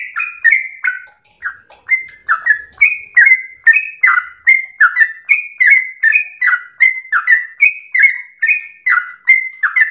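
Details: Ten-second stretch of sooty-headed bulbul song for training a captive trucuk: after a brief gap, a fast, even chain of short whistled slurs, alternately rising and dropping, continuing with no other sounds.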